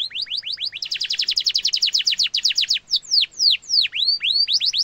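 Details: Singing canary used as a tutor for young and adult birds: quick rising notes build into a dense rapid roll, then give way to slow, loud descending and V-shaped whistled sweeps.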